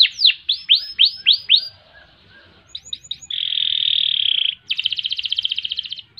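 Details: Canary in long rolling song, used as a tutor and lure for other birds: five loud down-slurred high notes, a pause, quick chips, then a dense buzzing trill and a fast pulsed rattling roll.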